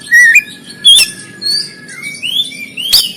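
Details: Oriental magpie-robin fighting song (kacer konslet tarung) from Banten, phone-recorded for training birds, with a short warbled phrase, a loud sharp note, then rising whistled slurs and another sharp burst.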